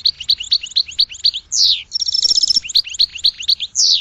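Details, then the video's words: Goldfinch singing a fast, continuous twitter of bright chirps, broken by downward-sliding whistles and a buzzy trilled passage midway, all high-pitched and lively. "Goldfinch Song to Educate Newcomers to Their Call"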